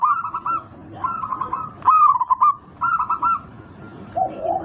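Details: Local zebra dove, loud-voiced, played to prompt a silent caged bird to start singing; clusters of rolling, slightly rising coos in three or four bursts, each a few quick notes, against low steady background noise.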